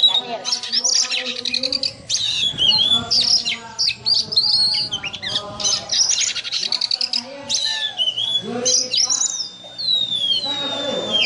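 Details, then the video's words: Caged oriental magpie-robin (kacer) singing in the ngobra style, likened to a snake: a fast, loud, varied medley of sharp whistles, rising and falling slurs, rapid trills and rattling bursts, with brief pauses between phrases. "Video Kacer Ngobra Seperti Ular"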